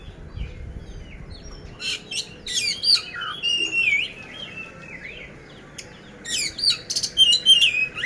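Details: Contest-ready poci oriental magpie-robin from Magelang, Central Java, delivering coarse-filled song: scattered sharp chirps and long slurred whistles, a quieter middle stretch, then a closing run of fast loud notes.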